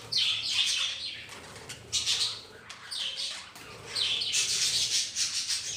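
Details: Pet budgerigars living as a colony indoors together with ring-necked parakeets, giving rapid high chirps and warbled chatter in overlapping bursts, with occasional wing flaps.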